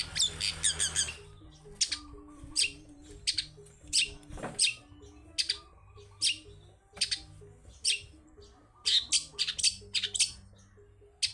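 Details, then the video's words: Energetic forest-style song of a long-tailed shrike, meant to coax shrikes that rarely sing: spaced, sharp high chips about every half second, then a quick cluster near the end. A soft looping low tone pattern sits beneath. "CENDET GACOR suara ngalas || PANCINGAN CENDET PILIS yang sulit BUNYI (SUARA BURUNG CENDET GACOR)"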